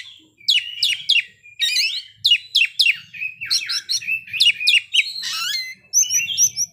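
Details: Kacer (Oriental magpie-robin) revealing its fill-in song: series of sharp, descending whistled strokes repeated in quick runs, then a downslurred note and thin high twitters toward the end.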